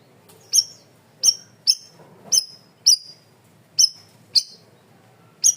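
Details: Cream-vented bulbul in a masteran training recording meant to be loud and clear: sharp, high, metallic chip notes with a short downward tail, given singly at irregular gaps of about half a second to a second, over faint low background hum.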